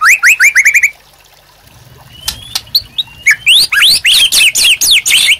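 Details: Energetic White-rumped shama song for provoking and tutoring other birds: a quick series of rising whistles, a near-silent pause with a thin upslurred note, then a loud run of high swooping whistles.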